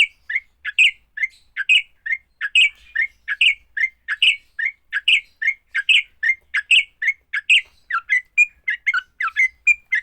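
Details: Fighting song of a sooty-headed bulbul, played to make other bulbuls sing: a steady stream of short, bright, chipping notes about two per second, quickening into twittering runs near the end.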